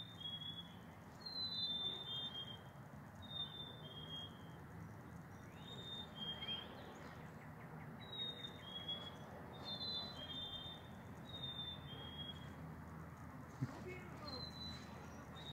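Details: A group of black-capped chickadees sing to each other, several birds whistling clear, high two-note fee-bee songs that drop slightly in pitch, overlapping every second or two over a steady low rumble.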